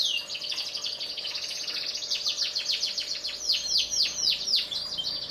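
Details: High-pitched canary song from black-red and yellow birds: fast chattering trill rolling into evenly spaced, curving down-sweeping whistles, loud and continuous.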